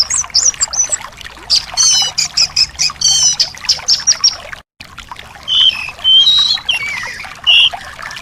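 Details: Song of a thrush, played to coax a reluctant caged thrush into singing, with rapid chattering high notes and stacked buzzy trills, a brief silent gap, then lower, rich, looping whistles and slurred phrases.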